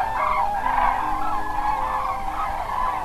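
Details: Crowd of common cranes newly arrived at their night roost at Pramort on the Baltic Sea, northern Germany, as a red deer stag runs among them; many rolling, bugling calls overlap into one steady, rasping chorus.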